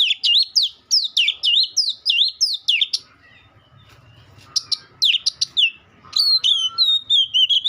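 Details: Oriental magpie-robin repeating loud, looping whistled phrases about twice per second, then a brief quiet stretch of soft twitters, followed by sharp chips and a descending series of clear whistles.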